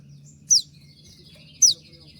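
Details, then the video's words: Konin in 'tembakan' style, recorded as a master track for songbirds: two loud, piercing notes that drop steeply in pitch, about one second apart, over a thin sustained whistle. "dengan suara tembakan seperti ini pasti bikin kelas kicau koninmu melecit tinggi"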